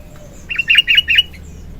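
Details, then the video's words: Sooty-headed bulbul singing in the morning, a lure and tutoring song: three quick, rich slurred whistles delivered in under a second. "Burung Kutilang Gacor Pagi - suara kutilang gacor isian - suara kutilang gacor pikat terampuh"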